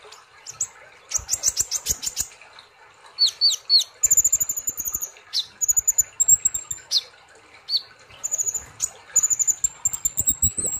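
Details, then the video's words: A sunbird sings high, thin, rapid chirps and sharp trills in bursts every second or so, with soft fluttering thumps between phrases. "Terapi kolibri Ninja ( konin ) Gacor Ngobra Nembak"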